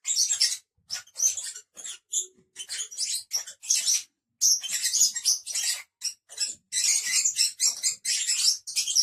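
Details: Five pet lovebirds together, giving dense high-pitched chatter: rapid screechy chirps and squeaks overlapping in long bursts with brief pauses, several birds calling at once.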